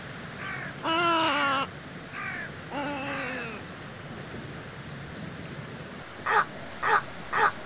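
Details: Little egret giving harsh, nasal, drawn-out croaks rich in harmonics. Two long calls of almost a second each, a few fainter short notes between them, then three short clipped calls at the end, over steady background hiss.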